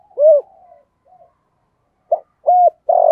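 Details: Spotted dove calling in the thổ and hạp bổi coo styles: a loud arched coo, a soft murmuring tail, a pause, then a clipped note, a rounded coo and a longer swelling coo starting at the end.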